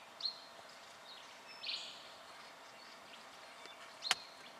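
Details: Black-fronted dotterel (Elseyornis melanops), Victoria, Australia, October 2011, giving a few sparse, thin, high 'tip' notes spaced over several seconds, ending in a sharp metallic tick, over a soft outdoor hiss.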